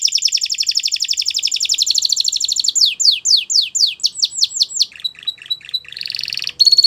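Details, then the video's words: Belgian canary song meant to train young canaries, opening with a rapid buzzy trill, followed by slower swooping downslurred whistles, a short lower series, then a harsh higher rattle and a thin note. "Canary Teacher To Train Your Canary!! Belgian Canaries Sing Melodiously"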